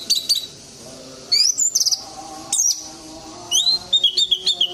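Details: Orange-headed thrush singing to stimulate silent birds: varied clear whistled phrases with rising and sliding notes, delivered in separate bursts with short pauses, ending in a quick run of repeated whistles.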